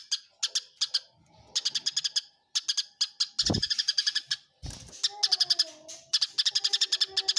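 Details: Eurasian tree sparrow in a fight, chirping in choppy clusters of quick, piercing notes separated by brief silences, two dull thuds, and a thin lower whine late on.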